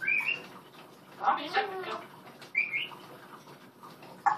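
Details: Pet African grey parrot, female, calling out to its owner indoors: short rising whistled notes near the start and again midway, a burst of speech-like chatter between them, and a sharp squeak at the end.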